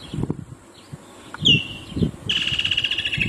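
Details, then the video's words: Woodland kingfisher calling: a sharp high note, then a fast pulsed trill that runs steadily to the end, over low thumping background noise. "Call of the Woodland kingfisher"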